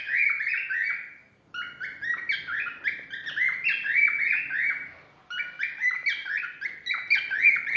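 A cockatiel sings a run of bright, warbling whistles, sliding up and down in quick phrases.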